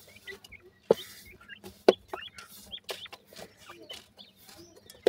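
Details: Young grey francolin chicks give brief high peeping chirps, mostly short upslurred notes. Loud sharp clicks come about once a second, over a faint low hum.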